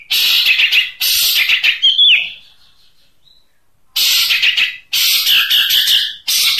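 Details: Long-tailed shrike singing in the 'tembakan unik' (unique shots) style used for training songbirds: loud, harsh, broadband bursts about a second long, a brief slurred whistle near two seconds, a pause, then more rasping bursts.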